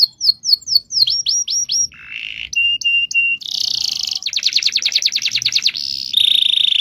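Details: Pet canary in a long rolling song: a run of downward-slurred notes, a low buzzy burst, three clipped whistles, then a dense rattling trill and a high sustained buzzy note.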